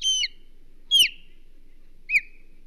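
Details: Osprey guarding its nest on Hog Island, 22 May 2023: three piercing whistled alarm notes, each bending steeply downward, the first two strong and close together, the last shorter, over a quiet background.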